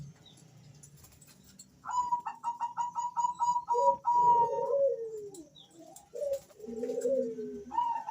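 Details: Calling male Bangkok zebra doves answer one another. A rapid string of sharp, even notes gives way to lower, rolling coos that slide down in pitch, then another coo phrase begins.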